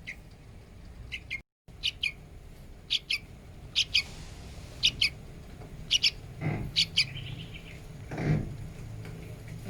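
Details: Hand-reared yellow-vented bulbul, kept as a cage bird, giving sharp, bright chirped notes in short bursts, repeated roughly every second with uneven spacing, over a low background hum with a couple of soft thuds.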